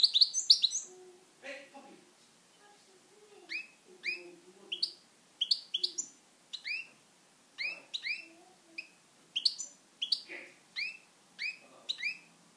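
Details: Captive European goldfinch singing a long series of short, clear upswept chirps repeated about twice a second, with occasional richer twittering, faint low room sounds beneath.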